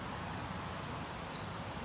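An American redstart sings a brief, very high, thin series of notes that ends in a sharp downslurred flourish, over faint low background hum.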